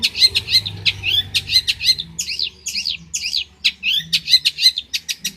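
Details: Prize-winning long-tailed shrike from Banyuwangi, a tutor recording for young songbirds: a dense, varied run of high chirps, trills and rising-falling sweeps delivered almost without pause.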